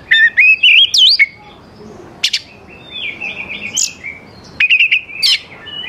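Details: Oriental magpie-robin song played to lure young wild birds into answering: loud clear whistled phrases sweeping between high and mid pitch, warbled runs and sharp upslurs, with quieter fragments in gaps.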